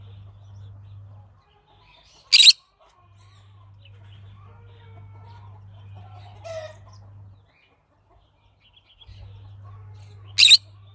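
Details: Green-cheeked conure giving two sharp, harsh squawks eight seconds apart, with a softer scratchy sound between them and a low hum.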